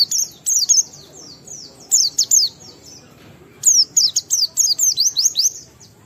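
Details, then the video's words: Oriental white-eye singing to encourage other white-eyes, with clusters of high sliding whistles, a quiet gap with faint notes, then a sustained run of rapid downslurred phrases. "Burung Pleci Gacor NGALAS Isian sambung Riwikan Materi Ampuh Merangsang Semua Pleci langsung Gacor"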